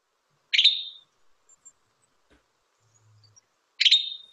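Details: Western tanager (Piranga ludoviciana) song: two short, hoarse, burry phrases about three seconds apart, fairly high-pitched, with near silence between them.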